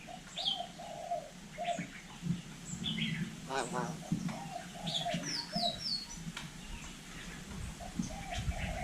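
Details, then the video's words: Hill myna in Vietnam mimicking human speech: a run of short, arched mid-pitched notes repeated in clusters, high thin whistles, and one harsh, buzzy, speech-like burst midway, with a person talking nearby. "Chim nhồng nói tiếng người cực đỉnh"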